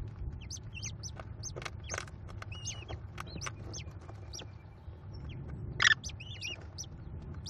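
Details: Five American kestrel chicks at a Cornell nest, fed by their mother on 18 May 2021: frequent high, squeaky, slurred chirps throughout, with a single brief loud rasping note near the end.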